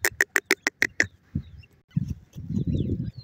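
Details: Female grey francolin (Dakhni teetar) calling: a quick burst of six sharp, harsh notes at roughly six per second, then low rumbling background noise.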